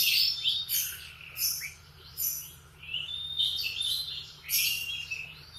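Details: Canary singing in the morning: separate high bursts of sharp trills and whistled slurs, several per second, with short silences and a faint low hum.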